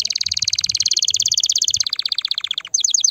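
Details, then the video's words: Loud canary song for preparing females to mate: a steady rapid trill that drops to lower pulsed notes, ending in sharp descending chips. "تغريد كناري هائج , لتجهيز الاناث على التزاوج , و بناء العش فورا"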